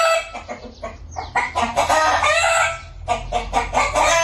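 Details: Cock crowing at a village farm, a sustained harmonic call lasting about a second. Clipped clucks from chickens come before and after it.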